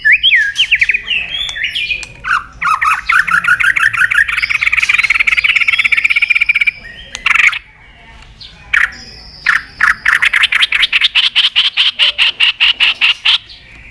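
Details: Song of a white-rumped shama, recorded as a lure to stir quiet birds: dense buzzy trills and rattling runs, a pause with a sharp whistle, then a long fast series of evenly repeated ticking notes.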